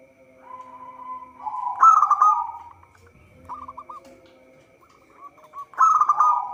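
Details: Local zebra dove singing vigorously, meant as a lure for trapping; a smooth rising coo leads into a loud burry trill, then short runs of quick hooked notes and a second loud trill, over a faint hum.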